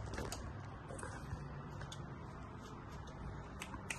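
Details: Steady broadband rustling and scattered clicks, like typing or handling noise, with no animal sound heard.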